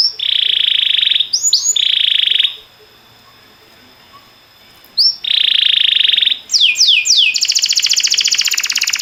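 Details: Canary song used to train other canaries, made of sustained rolling trills introduced by short rising whistles, a pause, more trills, then a run of quick sweeping notes leading into a bright rattling trill.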